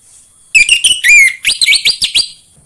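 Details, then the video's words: Lure song of an orange-headed thrush, meant to stimulate caged birds to sing: a quick, rich phrase of sliding whistles running into a rapid string of sharp chirpy notes, lasting under two seconds. "PANCINGAN AMPUH UNTUK BURUNG DIRUMAH UNTUK SEGALA JENIS ANIS MERAH SUAPAYA CEPAT GACOR"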